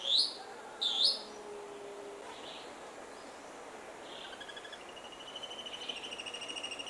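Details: Black-cheeked Gnateater (Conopophaga melanops), an Atlantic Forest endemic of the humid lowland forest understorey, giving two sharp, high, squeaky notes a second apart, followed by a faint, rapid series of thin notes.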